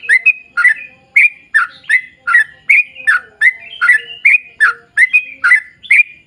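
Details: Sooty-headed bulbul in lively long rapid song meant to draw other bulbuls into singing: a steady series of bright, slurred chirps, each a quick rise and drop, nearly unbroken.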